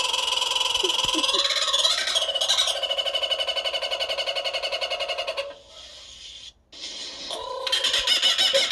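A kookaburra's raucous laugh: rapid, rolling, harmonic cackles rising and falling, easing off briefly before bursting out again. The room sounds enclosed.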